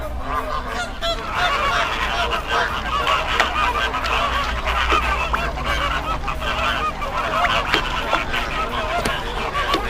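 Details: A large Greater flamingo flock on backwaters at Bagalkot gives a dense, unbroken chorus of nasal, goose-like honks and gabbling, with a low steady rumble underneath.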